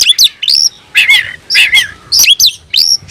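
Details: Oriental magpie-robin kept as a songbird, tail fanned, singing to provoke a rival into fighting; loud, rich phrases of rising and falling whistles and buzzy notes, repeated in short bursts about every half second.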